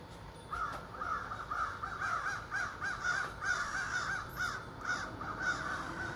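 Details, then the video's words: A morning group of ravens in trees across the street; harsh, slightly arched caws come in quick uneven bursts from several birds at once. "morning wake up call with ravens"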